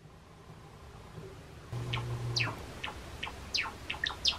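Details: Pet Java sparrow, one of two three-and-a-half-year-old males singing their own song, a cinnamon-type bird's original or a slightly higher-pitched version of it, gives after a quiet start a quick run of sharp, high chirps sliding downward, about two per second, over a brief low hum.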